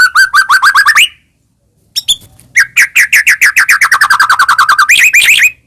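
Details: White-rumped shama (murai batu) from Medan in fill-rich song used as a provoking lure: fast runs of evenly repeated ringing notes, about three to four per second, a pause, then a longer accelerating series ending in buzzy upswept notes.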